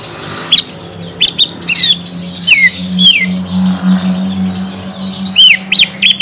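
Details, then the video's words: Green leafbird lure song aimed at a young bird: scattered high, sliding whistles and chirps over a steady low hum, with notes clustered at the start and end. "Pancing cucak ijo bakalan / mh langsung nyaut bunyi"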